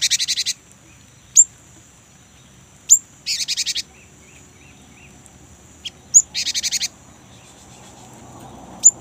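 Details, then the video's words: Young great tit in full song, used as a lure to prompt kept great tits into long singing: dense buzzy rolling bursts of about half a second alternate with sharp, thin single high notes, over a quiet background. "GELATIK BATU MUDA GACOR | Glatik Ngerol Untuk Pancingan Gelatik Batu"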